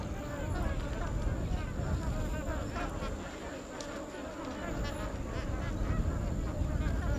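A dense chorus of Magpie geese, with many overlapping honking calls forming a continuous babble over a low rumble of wind or background noise.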